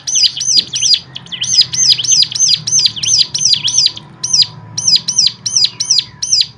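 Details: A bird sings as a stimulus for other birds, pouring out dense, high, sharply downslurred whistled notes in quick, slightly uneven runs over a faint low hum and a thin steady tone.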